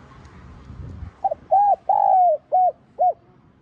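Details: Spotted dove in 'giọng son' voice delivering a calling coo phrase: soft stutter, then an arched hoot, a long sliding coo, and two short rounded notes, low and mellow, with faint low rumble before the phrase begins.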